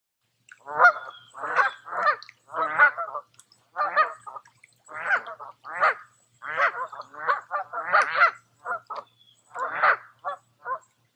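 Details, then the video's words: Geese on a wooded lake in Tamiment, Pennsylvania, in July, giving a steady run of harsh, nasal honks, about a dozen in quick succession, some doubled, with short gaps between them and a quiet background. "Relaxing With Some Geese"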